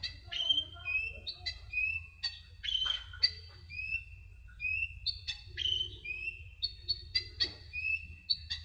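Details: Konin sunbird, also known as kolibri ninja, delivering a lively song of sharp chirps and short whistled notes, some rising and some dropping, repeated in quick irregular phrases over a faint low hum.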